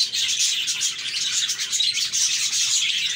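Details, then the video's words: Happy budgerigars calling at once, dense twittering with occasional clearer whistled chirps rising out of the busy, continuous group chatter. "Budgies Chirping"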